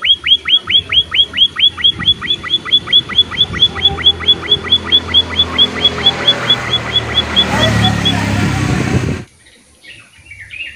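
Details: Emprit munia in full voice, a recording meant to prompt other birds to sing. Evenly spaced, high, falling chirps repeat about twice a second over background hiss, then a loud rushing noise ends it.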